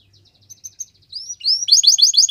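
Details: Canary song for training, starting with faint soft chirps and swelling into loud, rapid upslurred notes repeated in a fast series.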